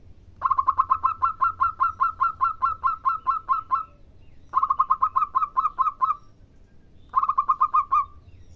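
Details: Perkutut lokal, a local zebra dove, in gacor full song: long rapid runs of clipped, evenly spaced cooing notes, the first around fifteen notes long, then two shorter runs after brief pauses.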